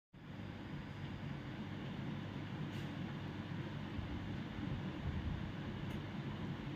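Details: Steady low rumble of a train or other vehicle, dense in the bass, with no animal voice anywhere.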